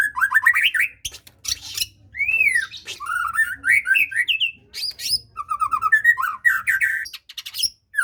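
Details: White-rumped shama singing, used to lure a reluctant bird into song: rich loud whistled phrases of rising and falling slurred notes, quick rolling note runs, and crisp high chips scattered throughout.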